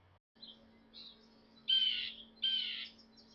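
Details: Northern mockingbird (Mimus polyglottos) sings at Savannah National Wildlife Refuge to establish territory and attract mates: short, high, buzzy phrases, two louder bursts about a second apart, over a steady low hum.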